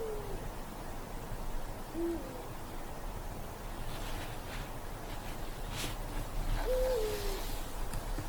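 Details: Winter-night Eurasian eagle-owl in forest darkness: a higher sliding hoot opens, a brief low hoot follows near two seconds, and a higher hoot falling at the end comes late, with soft background hiss between.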